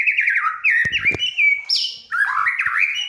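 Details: White-rumped shama singing vigorously, a song said to get other birds singing: continuous warbled phrases of wavering whistles and quick trills, a sharp high upslurred note near the middle, a couple of faint knocks in the background.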